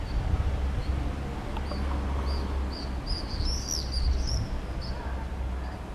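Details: Common swifts (Apus apus) give thin, shrill screaming bursts over a street in Vondelstraat, Nijmegen, the Netherlands, on 11 July 2010, with a steady low rumble of wind or distant traffic behind.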